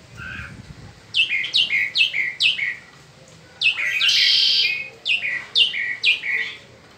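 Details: Spring singing by a peninsular mockingbird: sets of four to five sharp, descending chirps repeated in groups, broken by a loud rasping buzz before another chirping set.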